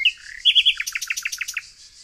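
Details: Nightingale song from green countryside near Tonekabon in Mazandaran, northern Iran; a whistled note, three loud clipped notes, then a fast series of about ten descending repeated notes, with a faint hiss of distant birdsong behind.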